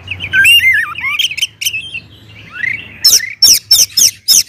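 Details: Loud Oriental magpie-robin song used to goad other kacer into singing, opening with rapid warbled whistles and dipping slurs, then a rising sweep followed by four or five harsh, explosive chips.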